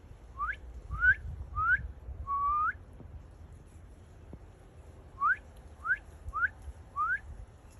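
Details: Singing Northern cardinal giving two phrases of clear rising whistles: four upslurs, a longer drawn-out note, a pause of about two seconds, then four more quick upward slurs; quiet background.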